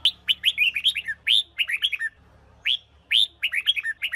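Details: Caged Huế red-whiskered bulbul, trained for competitive singing; loud, rapid sequences of sharp rising-and-falling whistled notes, densely repeated with a short pause in the middle, with a faint low hum underneath.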